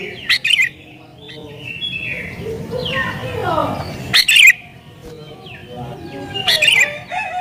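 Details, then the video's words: Sooty-headed bulbul singing excitedly to challenge rivals and draw in wild bulbuls; sharp chirp bursts open and recur, separated by sliding whistled notes and quieter twitters. "Burung Kutilang Gacor Isian Cocok Buat Pikat Burung Kutilang Liar"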